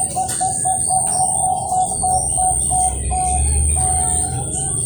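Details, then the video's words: Competition-quality Bangkok zebra dove at a breeding farm in Kroya, Cilacap, Central Java, Indonesia, repeating short mellow coos in a quick, even series, about four per second, over a low hum and faint chirps of other birds. "PERKUTUT BANGKOK GACOR PAKEM DEPAN TENGAH UJUNG KUALITAS LOMBA"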